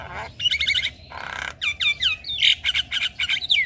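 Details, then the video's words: Javan myna song with full fill-ins as a master for young birds: a buzzy rasping burst, then a series of loud rising and falling slurred whistles and quick doubled chattering notes. "Pancingan Dan Masteran Jalak Kebo Full isian Pas Buat Jalak Kebo Muda"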